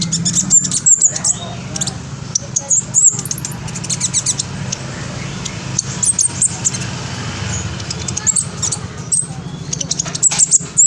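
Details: Black sunbird, a young spotted bird, filmed by phone in East Java, Indonesia, singing a rapid shrill song meant to make rivals answer. Thin, very high ticking chirps come in clusters across the recording, over steady low engine-like rumble.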